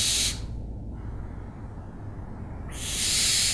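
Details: Two loud, rasping hiss-screeches from an owl, one at each end, separated by nearly two and a half seconds of quiet.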